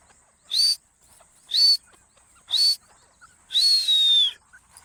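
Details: Partridge calls used to lure birds for hunting: three short harsh notes with a rising whistle, roughly one per second, then a longer drawn-out call that slides slowly downward.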